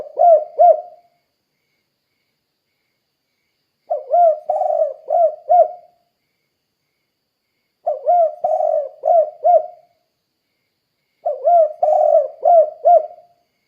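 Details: Persistently calling spotted dove, used as a lure to get other doves calling: four cooing phrases near 13 seconds, each a run of three to five low, hollow, arched notes with a longer blurred middle note, separated by silences of about two seconds.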